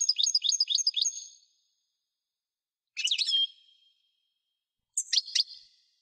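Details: European goldfinch singing: three bursts of high, rapid twittering and tinkling notes, the first a fast run of about a second, then two shorter squeaky phrases, separated by silence.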